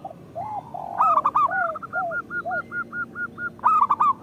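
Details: Local zebra dove singing, used as a lure to get lazy zebra doves calling: soft low coos, then loud rolling cooed phrases and a run of short even notes repeated in steady rhythm, with more coos from other doves.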